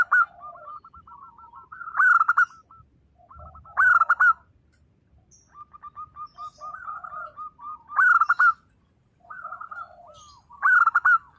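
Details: Energetic local zebra dove in 'nembak' style song: loud bursty phrases roughly every two seconds, each preceded or followed by quick series of short curved notes, with quiet gaps between.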